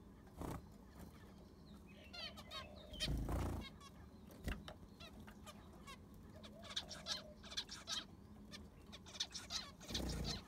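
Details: Aviary zebra finches, the enclosure just cleaned with fresh sand: bursts of stacked nasal beeps and buzzy notes between pauses, plus several loud low thumps and clatters.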